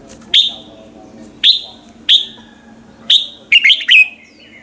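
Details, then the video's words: Red-whiskered bulbul singing in the morning: bright, falling whistled notes about once a second, ending in a quicker warbled run, over a faint low hum. "chào mào hót buổi sáng"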